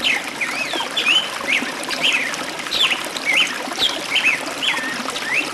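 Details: Forest birds singing: repeated short whistled phrases with sliding, looping notes, steady over a faint watery hiss.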